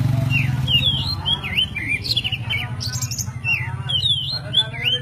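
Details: Oriental magpie-robin of the white-breasted kacer poci form, an aggressive fighting songbird, singing for songbird training: quick, varied whistled phrases of looping, up-and-down slurred notes and sharp chirps over a steady low hum.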